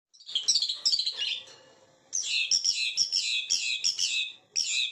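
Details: White-rumped shama song, high varied whistled phrases with sharp rapid notes, one burst, a pause, then a longer run of repeated bright motifs and a final short burst.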